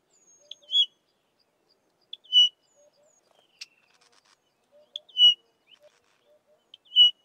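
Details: Pririt batis singing on a farm in the southern Karoo: short, clear whistled notes, each with a brief higher lead-in, repeated about every one and a half seconds against an otherwise quiet background with a faint single click.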